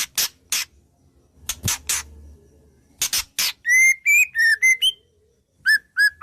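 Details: White-rumped shama song packed with mimicked wild-bird phrases: a run of sharp dry clicks, then loud clear whistled notes, some slurred or rising, given in a quick series and ending in short repeated whistles.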